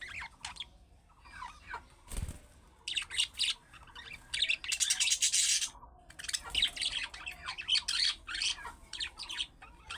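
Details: Budgerigar chatter meant to make pet budgerigars respond: dense, rapid, buzzy warbling and chirps running almost continuously, with one sharp low thump near the start.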